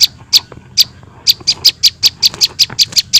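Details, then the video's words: Prinia nestlings used as bird-catching lure: sharp high chips, sparse at first, then quickening into a steady run of about four per second. "suara anakan prenjak bawah"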